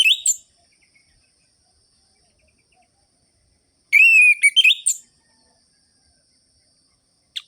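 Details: Orange-headed thrush giving its sharp ngerol-ngeplong song, used to prompt reluctant thrushes to sing: one short high whistle, a long silence, then a burst of bright slurred whistles and a final faint click.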